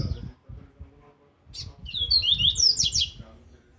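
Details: Laranjeira-style aggressive song of a double-collared seedeater, used for training: a short buzzy note, then a rapid tumbling phrase of high slurred whistles and rasping downstrokes, with low background noise throughout.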